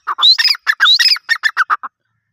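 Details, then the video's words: Grey francolin calling loudly: two harsh rising whistled phrases, then a run of about eight short clipped notes that space out and drop lower before stopping, against a silent background. "Dakni teetar ki awaz | Bhory teetar ki awaz | Gary francolin birds | teetar sounds"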